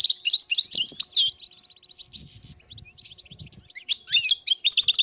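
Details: A wild flock of dozens of European goldfinches in northern Morocco, 2022, twitters brightly, fades to a thin rapid trill and scattered notes, then bursts into chattering again; faint low rumbles beneath.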